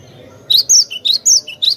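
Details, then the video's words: Sweet song of a cinereous tit, played as bait for birds: crisp high whistles alternating with a short lower note, about four quick phrases in under two seconds, faint hum beneath. "suara merdu burung Glatik Batu Pas banget buat pancingan"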